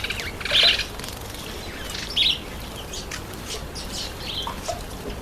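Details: Bathing grey-headed sparrow with two sharp, bright chirps about a second and a half apart, followed by faint scattered twitters against a soft background hiss.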